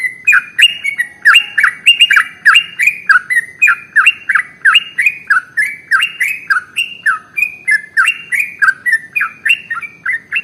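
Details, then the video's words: Trucukan (sooty-headed bulbul) in a super-long fighting song used as a singing lure: dense run of loud, rapid bubbly notes, slightly rising and falling, repeating about three times per second throughout. "SUARA Trucukan ropel SUPER PANJANG paling AMPUH untuk PANCINGAN burung gacor"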